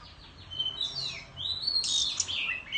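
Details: Oriental magpie-robin singing competitively with a tail-fanning display in the Vietnamese countryside; high whistled phrases with swooping slides and sharp upward notes, a bright rising burst near the end, faint low hum underneath.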